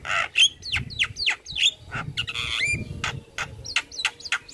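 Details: A vigorously singing Javan myna gives a filled-out song aimed at stirring other mynas: sharp descending whistles and rough buzzes, a drawn-out grating phrase, then short rising whistled flicks.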